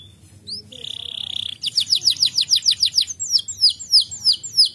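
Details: Lazy canary being stimulated to sing: a steady buzzy trill, then rapid series of downward-sweeping whistled notes repeated about three per second, crisp and high.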